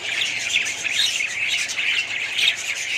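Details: Budgerigar colony chatter: rapid, overlapping chirps and warbling squeaks, roughly two notes a second pulsing through a constant high background of many birds.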